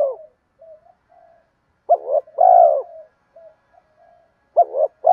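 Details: Spotted dove decoy bird with a 'giọng đồng' voice, cooing to draw in wild doves: soft murmured coos, then a stuttering double note and a long low coo, then another phrase begins.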